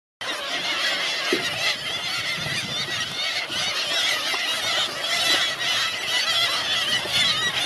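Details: Hungry seagulls at Helløya in 2017: a dense, continuous chorus of many overlapping high, squealing and wailing calls from a large flock, steady and loud throughout with no pauses.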